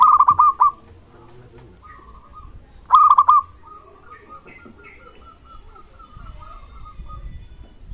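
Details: Local zebra dove in strong voice, used as a lure to prompt other zebra doves to call: two clusters of rapid, bubbling coos about three seconds apart, each fading into a long level hum, with faint rustling.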